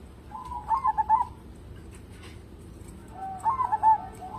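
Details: Zebra dove song used to lure other birds, two rolling cooed phrases, each a soft low note running into a fast bubbling trill of coos, with steady faint noise between.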